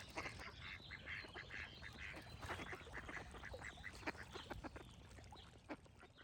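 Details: Ducks keep up an uneven chorus of raspy quacks, roughly two a second, while birds call softly behind them.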